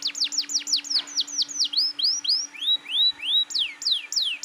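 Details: Energetic, persistent canary song meant to stir young canaries to join in: a rapid run of descending whistled sweeps, then slower rising arched notes and sharp downslurs, all high-pitched; a constant low hum underneath.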